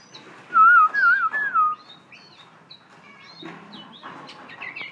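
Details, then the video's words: Captive, tame Black-throated laughingthrush from Vietnam delivering a single clear, wavering whistled phrase of about a second, sliding up and down, followed by faint scattered chirps. "khướu bạc má thuần 007"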